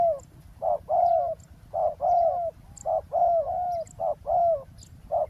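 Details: Decoy spotted dove calling at a roadside ground trapping spot to draw in a wild dove. It gives mellow, hooting coos in quick pairs, a brief note followed by a drawn-out falling one, about one pair per second. Faint bird chirps are heard in the background.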